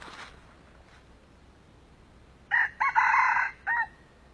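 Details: An old red junglefowl heard while being lured for trapping crows sharply after a faint rustle and a pause. The crow has a short first note, a longer rasping middle section, and a brief tailing note. Background noise is low.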